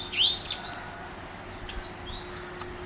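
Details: An Oriental magpie-robin at Mormugao Harbour, Vasco da Gama, sings a bright, rising whistle, then a few thinner, softer sweeping notes over a quiet background.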